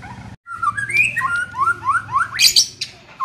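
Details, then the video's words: Young white-rumped shama in training sings varied clear whistled phrases, a series of short upward-sliding notes in quick succession, ending in higher bright twittering, over a low steady hum. "Melatih Mental Murai muda"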